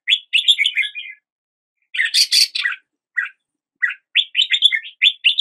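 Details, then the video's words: Quick chirped phrases from a red-whiskered bulbul, then a louder harsher burst, a few isolated notes and more rapid bright warbling to the end; clean background. "Red whiskered Bulbul Song"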